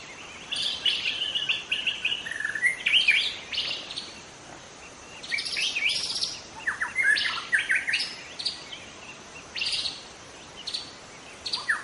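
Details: Song of a young wild white-rumped shama in the forest, a varied run of loud chirps, trills and whistled notes in bursts with short pauses, over faint hiss.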